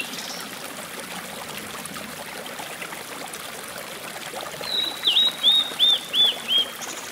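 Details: Blue-and-white flycatcher singing at the rock garden on Mount Mitake, Ome, Tokyo, 14 May 2011, a short phrase of about six clear, high, slurred whistled notes, evenly paced, over the steady rush of a small stream.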